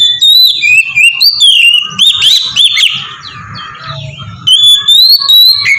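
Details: An Oriental magpie-robin sings its melodious ngeplong song, meant as a lure to set other magpie-robins singing. Bright sliding whistles alternate with rapid chirps, a brief softer gap midway, then strong whistling resumes.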